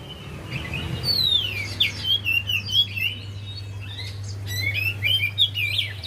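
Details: Javan white-eye song as a lure for a quiet bird: a falling high whistle and quick chirping phrases, a short gap, then more rapid twitters, with a constant low electrical hum.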